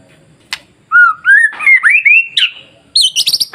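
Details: White-rumped shama masteran song meant to draw other shamas into singing: a click, then a string of rising, sliding whistles that climbs into quick high chattering notes.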